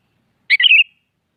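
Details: Sooty-headed bulbul in the morning, singing to challenge a rival; a single short liquid phrase, a bright opening note sliding into a quick bubbling warble, with no other sounds.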